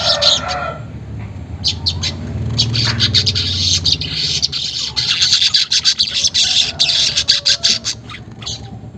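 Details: Unedited weaver song used to coax caged birds into full song. A continuous buzzy, rattling chatter runs high and steady, with a low hum and brief lower notes in the first seconds.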